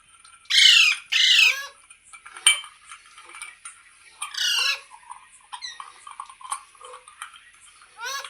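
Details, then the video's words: Green parrot making natural sounds: two loud, raspy screeches close together at the start, then softer clicks, another harsh screech midway and a short squawk at the end. "Green Parrot Talking Natural Sounds | Mitthu Ki Awaaz | Tote Ki Awaaz"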